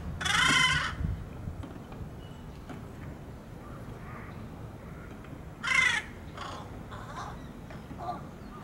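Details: Young jungle crow giving two loud, harsh, rasping caws about five seconds apart, each under a second long, with faint softer calls and low traffic-like rumble between.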